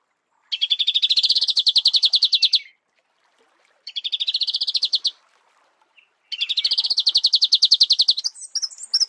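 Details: Three rapid, buzzy trills of high repeated notes from a Marico sunbird in natural habitat, each lasting one to two seconds and separated by short silences.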